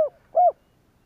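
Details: Spotted dove calling to provoke other doves into cooing: two short, smooth hooted coos, the second longer and slightly arched, with a pause between them and otherwise a quiet background.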